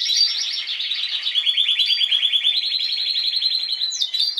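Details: Singing Spanish timbrado canary among last season's bird and young of this season learning to sing: one unbroken, fast, rolling trill, even in pitch, with a brief higher flourish near the end.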